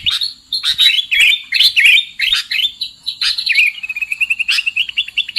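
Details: Trapping lure of sooty-headed bulbul calls: loud, babbling chirped phrases, then a faster run of short, evenly repeated notes near the end.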